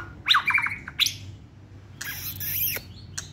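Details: Caged white-rumped shama singing while held in hand, a competition-grade bird: a quick cluster of loud whistled notes, a pause, then a harsh rasping burst with a looping whistle and a final click.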